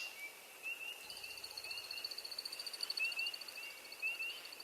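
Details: Early-spring American Woodcock courtship flight song: a rapid, steady, high twittering series of chips as the male circles, while spring peepers give repeated clear peeps about once a second in the background.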